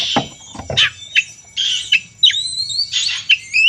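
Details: Oriental magpie-robin fighting song used to provoke other birds: clipped sharp notes, then clear whistles slurring upward, interspersed with short harsh bursts, loud and lively against a faint low hum.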